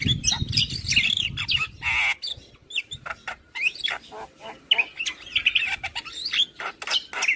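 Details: Morning song of a Javan pied starling prompting replies from nearby starlings: rapid rasping chatter interleaved with short whistled slurs and squawks, some low rumble at the start.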